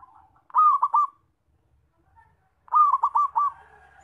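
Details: Loud zebra dove call used as a lure for trapping birds: two bursts of three or four quick, rolling, purring coo notes about two seconds apart, with faint softer cooing between.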